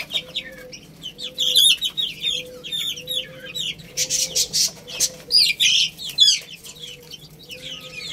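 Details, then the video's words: Chicks feeding on rice chirp busily in bright, rapid peeps, joined by dense clusters of pecking taps around the middle, over a low, pulsing background hum. "Cute Little Chicks Eating Rice | Beautiful Chicks Chirping Sounds"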